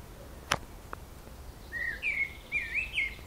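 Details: Clear warbling phrase from one bird singing through its repertoire at Zmajčkova pot, Slovenske Konjice, Slovenia: a series of looping, slurred whistled notes rising and falling, preceded by two sharp clicks.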